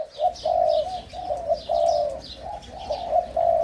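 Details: Young hybrid 'sai din' line Spotted Doves, first clutch, a little over five months old, in an excited phase and starting to sing: throaty, mellow coos in a run of short phrases, with faint high chirps of other small birds behind.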